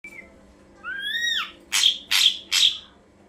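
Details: Ashy drongo song used as a lure for birds: a rising then falling whistled double note followed by three loud harsh buzzy bursts, evenly spaced, against a quiet background with faint low hum.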